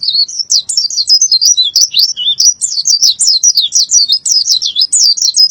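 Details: A white-eye (pleci) from Boyolali rolls out an unbroken, loud, high twitter of quick zigzagging notes, rapid and steady throughout, in the 'isian' style.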